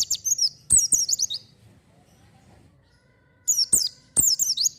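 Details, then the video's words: Oriental white-eye singing energetically as a lure for untrained birds: two groups of rapid, very high twittering phrases separated by a quiet two-second gap, with sharp clicks among the notes. "pancingan pleci gacor cocok untuk burung bahan"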